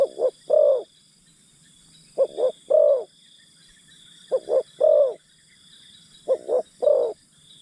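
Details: Spotted dove working as a decoy to lure wild doves, repeating a short-short-long cooing phrase four times at roughly two-second intervals, over a constant faint high-pitched hum.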